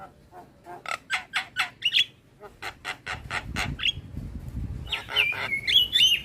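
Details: Black-winged myna training song for prompting a quiet bird: a rhythmic series of harsh, rasping notes about four per second, pauses, then a loud stretch of squawks and whistled slurs.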